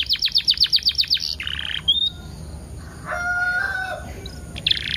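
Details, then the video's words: Canary lure song with 10-second pauses, meant to make canaries sing: a quick series of sharp repeated notes and a buzzy rattle come first, then a lower drawn-out harmonic call, and a final buzzy burst. "PANCINGAN KENARI TERBAIK DENGAN JEDA 10 DETIK LEBIH EFEKTIF || PASTI GACOR"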